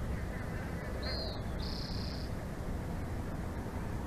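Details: Bald eagle at its nest in Big Bear Valley, recorded by a live nature cam on 06/01/2024 at 14:31; two thin, high, steady whistled notes, the second longer, over strong rumbling wind noise.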